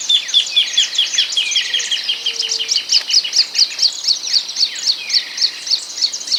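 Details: Ultramarine grosbeak (reinamora grande): quick, high chirping notes strung into a continuous chattering stream, several per second, with brief sliding whistles beneath and steady faint background noise.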